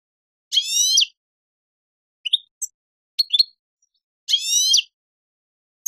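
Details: European goldfinch on a goldfinch song tape giving two drawn, nasal, harmonic-rich notes about four seconds apart. Faint short chirps fall between them in silence.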